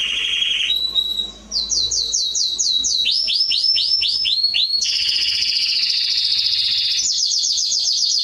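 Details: Canary song used to train young birds: loud, varied high phrases of rapid repeated swept notes, a dense buzzy trill, then quick chirps, all in one unbroken stream.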